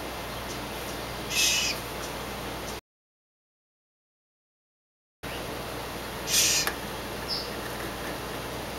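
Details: A rescued baby female scrub-jay, found with a broken wing in a backyard, gives two short, harsh, rasping calls about five seconds apart, with a faint chip after the second, over a steady background hiss.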